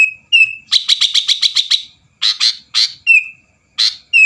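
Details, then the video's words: Sooty-headed bulbul singing to provoke rival birds into song: a brief clear whistle, a quick series of about eight rapid chirps, then separate rich chirps alternating with short whistled notes. "burung kutilang gacor bikin lawan lngsung emosi dan ikut gacor"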